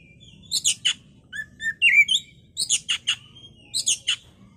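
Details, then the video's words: Bait recording of an Oriental magpie-robin, played to provoke another bird into agitated singing. Harsh rasping bursts alternate with clear whistles and a loud slurred whistle in the middle. A drawn-out thin note and more scratchy bursts follow. "Pancingan KACER agar cepat EMOSI dan GACOR"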